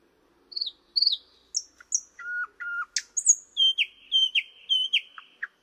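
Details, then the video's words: Varied song from a thrush nightingale: short high whistled notes, flat sustained pipes and repeated downslurred whistles in a measured, unhurried sequence. "Luscinia luscinia"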